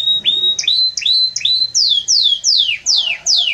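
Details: Belgian canary delivering a loud song of rising slurred whistles followed by a string of sharp downward-sweeping notes, roughly two per second.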